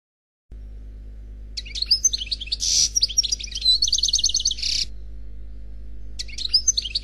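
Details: Single unpaired European goldfinch delivering Khalwi song: high tinkling twitters, a buzzy note, then an even rattling trill ending in another buzz. A short phrase resumes after a pause, over a faint constant hum.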